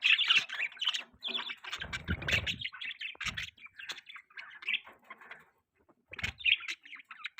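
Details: Pet budgerigars chirping during a morning feed, with steady chattering warbles and scratchy twitters running almost without a break, a short pause near 5.5 seconds, and low thumps and rustles beneath.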